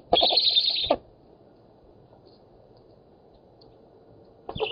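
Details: Black storks at an oak-tree nest in Poland, 7 August 2018, competing for fish: a harsh, hissing screech lasting about a second, then a pause before another begins, over a faint low rumble.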